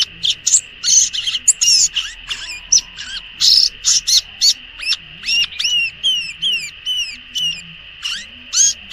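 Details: Violaceous euphonia singing in the wild: a rapid, varied run of high chirps, sharp downslurred whistles and buzzy notes in short bursts, over a steady high-pitched hum in the background.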